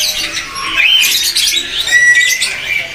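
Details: An adult, tame Asian pied starling in a kiosk at Pramuka bird market in East Jakarta gives a busy, chattering song of harsh notes mixed with short clear whistles, against the background bustle of the market.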